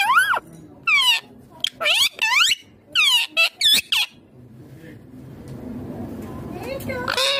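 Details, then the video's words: Green Indian ringneck parakeet talking in a rapid series of sharp, harmonic, word-like syllables over the first four seconds, then falling quiet before one last loud utterance. "Indian ringneck green parrot amazing talking clear sounds"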